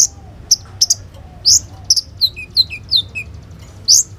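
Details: Olive-backed sunbird singing lure phrases meant to coax other sunbirds into song, phone-recorded: isolated very high sharp notes followed by a series of slurred, falling whistles and a final piercing chirp.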